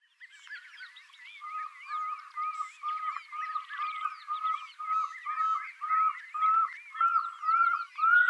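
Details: Pearl-spotted owlet song: a long run of short, level whistled notes that grow steadily louder across the clip, with busy twittering and chirping from other birds above.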